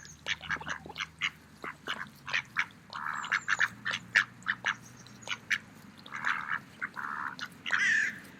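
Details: Several mallards feeding in a park in autumn give a steady stream of short, sharp quacks mixed with a few longer, harsher drawn-out quacks near the end.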